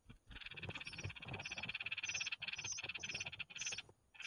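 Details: Nestling red-whiskered bulbuls begging at feeding time, a continuous wheezy, rasping chorus pulsing rapidly, with sharp high squeaks laid over it every half second or so.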